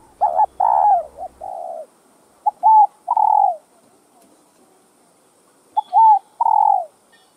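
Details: Spotted dove (cu gáy) repertoire of calling coo, urging and soft cooing, played to stimulate captive doves: mellow hollow coos in short groups, a run of quick notes then drawn-out coos, phrases repeating after pauses in a quiet setting.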